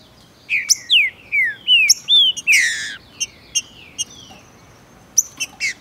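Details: Male green-winged saltator (trinca-ferro) from Brazil with a female present, singing fast and hot during tournament and breeding season. A run of clear descending whistled slurs, about six in two and a half seconds, then sharp clicking chips.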